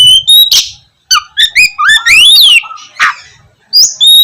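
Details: Oriental magpie-robin singing as a morning lure for lazy birds: bright whistles, a rising series of slurred notes, harsh chip bursts and a short silent pause.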